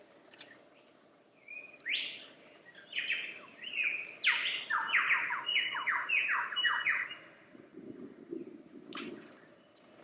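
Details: Lyrebird singing: a run of loud descending sweeps, each falling steeply from high to mid pitch, given in quick succession for several seconds after a faint start, with a soft low murmur beneath.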